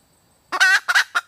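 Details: Female red junglefowl calling for a mate: one long, loud, harsh nasal note followed by two shorter clipped notes, all within about a second, in an otherwise quiet background.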